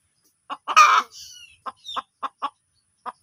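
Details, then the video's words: Hen giving one loud rasping squawk followed by a few soft, evenly spaced clucks. "funny hen sound"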